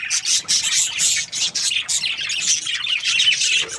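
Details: Breeding pair of budgerigars, described as happy, giving dense scratchy chirps and squawky warbles in rapid bursts, bright and high, with short gaps between phrases.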